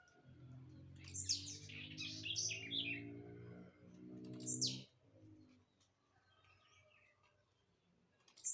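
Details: Several buzzy high notes from a jumping blue-black grassquit, one clear downslurred buzz near the middle, overlaid on a low, steady harmonic droning sound that stops midway, with scattered clicks afterward.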